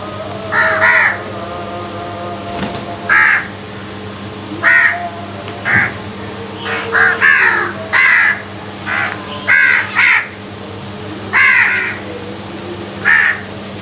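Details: Crows fighting for food give a rapid series of harsh, grating caws, about a dozen in fourteen seconds, some doubled, irregularly spaced and loud, over a constant background hum.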